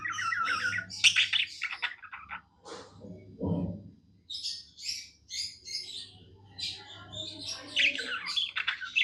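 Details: Pet budgerigars singing happily, long runs of chirpy, scratchy warbling with squawky notes and a brief low thump partway through, over a steady low hum.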